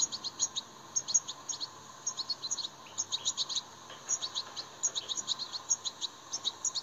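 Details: European goldfinch song used to stimulate captive goldfinches: thin, sparse high tinkling notes in short clusters over a steady low background hum.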